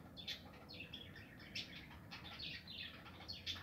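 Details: Budgerigars in a home aviary with nests, 2020; busy warbling chatter of short chirps and rasping notes overlapping almost without pause, several birds calling at once.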